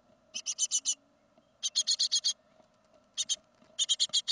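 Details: Great tit fledging from a second-brood nest in 2016, uttering repeated bursts of four to six rapid, harsh hissing rasps, one after another, against a faint background hum.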